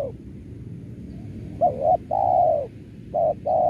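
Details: Spotted dove lure call for trapping doves: mellow low coos in quick succession, brief wavering notes each followed by a sustained even coo, twice within a few seconds, with a constant low hum underneath.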